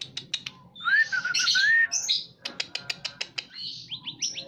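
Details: White-rumped shama, a murai batu in breeding condition: buzzy rattling bursts, smooth rising whistles and a series of sharp repeated clicks, over a low background hum.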